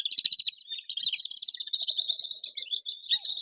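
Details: Common swift from an urban setting: a brief stuttering burst, then a long thin, high screaming trill that wavers gently in pitch, with a fresh scream rising at the very end.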